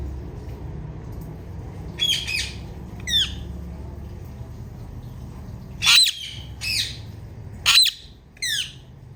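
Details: Female Indian ringneck parakeet chirping loudly, sharp harsh squawking notes in pairs, spaced every second or two, with a low background hum.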